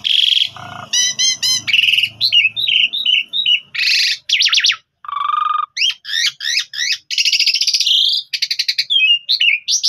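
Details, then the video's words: Long, continuous master song from a Javan pied starling, meant for copying: ringing trills, choppy warbles, a low steady whistle, repeated rising-falling swoops and a drawn-out buzzy note. "Master Jalak Suren Gacor Full Nembak Suara Panjang Mudah Ditiru Jalak Suren Lain"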